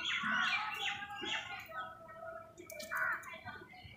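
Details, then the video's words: Crows squabbling with wild birds over food: several harsh, raspy caws in short broad bursts, the loudest near the start and another after a pause, mixed with the chattering and squawks of other birds. "crow bird live crowing sounds| Crow Soud কাকের ডাক | Crows fight with birds"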